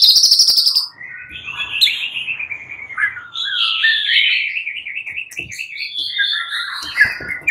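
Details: Caged fighter white-rumped shamas singing in reply to one another, emotional: a high buzzy opening, then a long warbling trill of rapid zigzag notes climbing and wavering.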